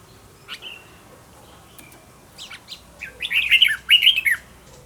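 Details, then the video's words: Red-whiskered bulbul singing for training a decoy bulbul; scattered thin chirps at first, then two loud, quick warbled phrases of looping whistles near the end. "Cách luyện chào mào mồi - Hót hay nhanh lửa, Căng"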